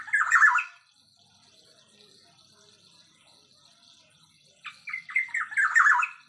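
Blue-winged Leafbird: two bursts of harsh, chattering notes, the second a quick run of squeaky phrases, separated by a few seconds of quiet with a faint high hum.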